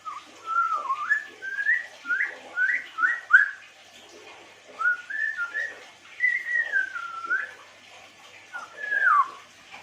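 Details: African grey parrot giving a melodious chirping song: a series of clear whistled notes around the middle register, rising and falling slides in short bursts separated by brief pauses, with several longer descending whistles near the end.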